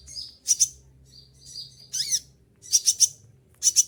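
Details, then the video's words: A moulting olive-backed sunbird sings a short passage of high, thin whistled notes broken by quick pairs and triplets of sharp, ringing bursts. "konin lagi mabung bulu rontok semua tetap gacor seperti konin siap mabung"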